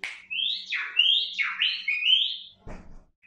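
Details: Bulbul singing in Iraq: a fluid run of loud, clear whistled notes that swoop down and up in linked phrases, followed by a short rustling noise.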